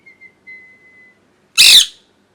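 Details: Pet parrot in molt, kept indoors; a thin steady whistle, then a single loud harsh squawk burst in a quiet room.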